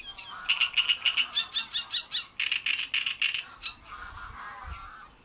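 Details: At Bohdanečský rybník pond a great reed warbler sings loud, grating, croaky syllables in a fast, steady run of about a dozen repeats, then slower harsher notes trailing off into softer chatter.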